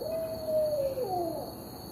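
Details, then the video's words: Barred owl giving a sustained hoot that holds level then drops, followed by a second overlapping downslurred note, against soft steady hiss. "Barred owls"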